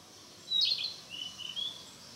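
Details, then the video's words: Narcissus flycatcher rehearsing its song in the mountains: a sharp high whistled flourish followed by two softer, level thin whistles over light background hiss. "キビタキ 囀り練習中"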